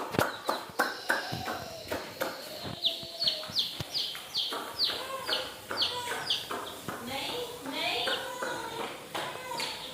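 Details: Coloured baby chickens in a village, a flurry of high, downward-sliding peeps from several chicks mixed with sharp tapping and clattering noises throughout.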